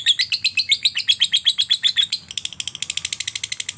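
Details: Lovebird in ngekek style, a chattering trill meant to prompt other lovebirds to sing; about two seconds of strong, evenly spaced high pulses, then a quicker, thinner run of clicks at the end.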